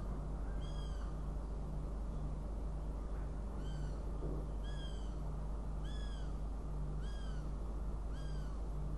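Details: Northern goshawk, Riga, 29 June 2016, calls steadily with six descending, nasal, harmonic wails spaced roughly every one to one and a half seconds, over constant low-pitched hum.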